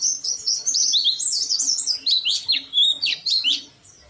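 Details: Oriental white-eye singing intensely with its beak open: a quick chatter of high, wavering chirps, then louder, well-spaced downslurred notes before fading out.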